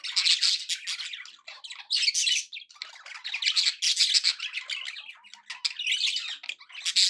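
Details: Budgerigars kept as pets chatter happily in loud bursts of bright, buzzy warbles and chirps, several phrases rising and falling in quick succession.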